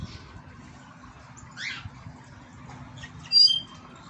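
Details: Goldfinches courting each other give two brief bursts of bright, tinkling twitter, a quick slurred phrase followed by sharper high chiming notes, over a faint low hum.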